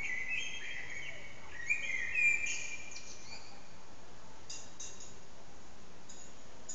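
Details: A common blackbird (Turdus merula) sings especially loudly in an echoing backyard courtyard: fluted, warbling phrases ending in thin, high twitters, over a steady hiss of loud background noise.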